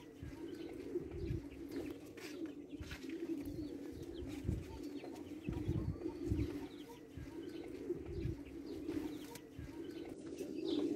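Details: Several Tabrizi Agharan pigeons, an Iranian breed, coo together in a low, unbroken droning murmur, with repeated deep rolling pulses rising and fading across about eleven seconds.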